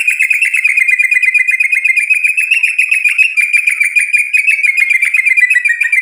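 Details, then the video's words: White-rumped shama delivering one unbroken, fast, buzzy trill held at a steady pitch for six seconds, part of its song material used to provoke a rival into answering. "MURAI BATU GACOR memancing EMOSI lawan jadi NYAUT GACOR BONGKAR MATERI ISIAN ampuh buat PANCINGAN"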